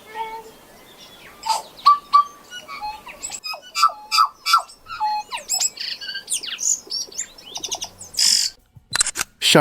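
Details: A tui, highly territorial and socially active, mixes clear bell-like notes with sharp clicks, wheezes and harsh rasping bursts in a fast, varied sequence, ending in louder grating notes. It uses this for defence, communication and display.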